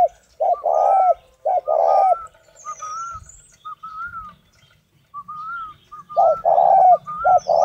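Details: Spotted dove from northern Vietnam: deep, rough coos in three phrases, each a short note followed by a longer one, separated by thin whistled notes from another bird.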